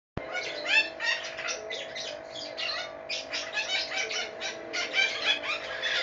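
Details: Two pet red-breasted parakeets, described as happy, recorded on 01/04/2017. They give continuous dense chattering with harsh squawks and whistled chirps that overlap without pause. A low steady hum runs underneath.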